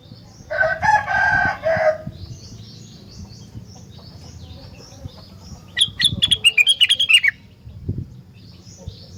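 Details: Rengganis singing a vigorous song that makes other rengganis respond. A dense, harsh chattering phrase comes first. A separate rapid run of bright chirps follows, sliding gradually lower over about one and a half seconds. Soft twitters sound in between.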